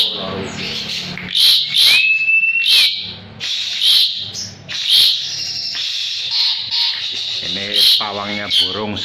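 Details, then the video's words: Asian pied starling held in the hand, in full vigorous song: repeated harsh, crackling bursts about once a second, broken by a level whistle and ending in grating chatter. "JALAK SUREN GACOR"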